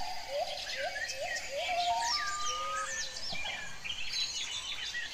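Kapas tembak bulbul song: rapid, bright whistled notes that slur up and down, several phrases overlapping, over a steady hiss of background noise.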